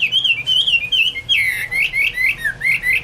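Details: Chinese hwamei (Garrulax canorus) delivering rich whistled phrases, each a slurred rising-and-falling note repeated about twice a second, clear and fluting.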